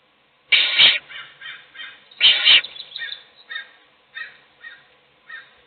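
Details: Owl at a nest with chicks, an adult feeding one chick while the others sleep; two loud, harsh, hissing screeches about a second and a half apart, between softer, shorter raspy bursts repeated roughly every half second.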